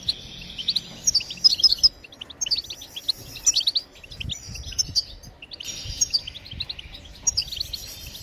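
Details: Goldfinch song phrases meant to spur other birds into singing: four bright twittering bursts of quick, high, metallic notes and short buzzes, separated by brief pauses, with faint low rumbling underneath.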